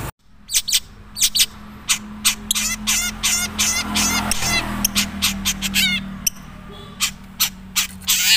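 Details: Long-tailed shrike (cendet) from Madura, natural voice with little learned mimicry: dense scratchy chatter and rapid trilled phrases, loud and continuous, with a steady low hum beneath.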